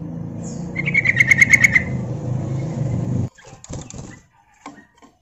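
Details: Lure call of a female yellow-vented bulbul summoning males: a brisk rattle of about eight sharp notes over a low rumbling hum, followed by a few scattered clicks and taps after the noise cuts out.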